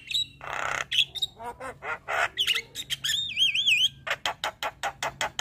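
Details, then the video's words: White-eyed Javan myna pouring out 'isian' song while nodding: a rasping burst, choppy clicks, then a long warbling wavy whistle and a run of rhythmic harsh notes. "Kicauan Jalak kebo Mata Putih Gacor Full Isian Manggut2"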